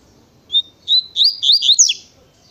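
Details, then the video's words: Double-collared seedeater giving Tui Tui song: two spaced whistled introductory notes, then an accelerating cascade of looping, warbled slurs and a final steep downward sweep. "Coleiro Natureza Tui Tui Pensa Num Coleiro Rapido"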